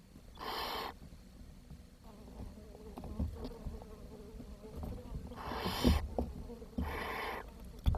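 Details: Barn owl nestlings on 10 June 2023, in a nest without enough food, where the youngest chick died and was fed to the four survivors. Three breathy, rasping hisses come with scraping and tapping nest noises between them.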